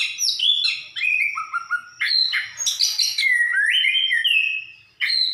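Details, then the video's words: Orange-headed thrush, a bird in full song, delivering a loud, varied run of whistled and slurred phrases, some sliding downward, others rising, with brief buzzy bursts and short pauses between phrases. "Burung Anis kembang gacor"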